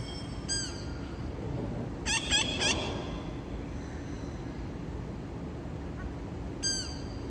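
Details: Parrots on a late-afternoon August visit, the scout calling companions in: scattered single descending squawks and one rapid triple burst of harsh, harmonic notes, over low constant hum.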